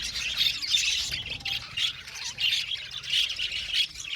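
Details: Budgerigars in an aviary colony, Australian budgies, chirping together: dense, scratchy, overlapping chatter in rapid bursts with brief dips, a continuous flock din without pause.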